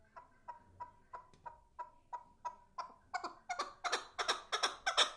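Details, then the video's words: Chukar partridge calling in a regular run of clucking chuck notes, about three per second, starting soft and building to loud, harsh, rasping bursts. "Кабк чучаи сурак дар хондан дромадай صوت الحجل جميل جدا"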